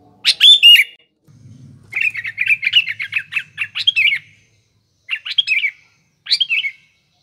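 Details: Sooty-headed bulbul in full song as a lure for morning, afternoon and night: a loud slurred opening phrase, a long run of rapid chattering notes, then two shorter bubbling phrases.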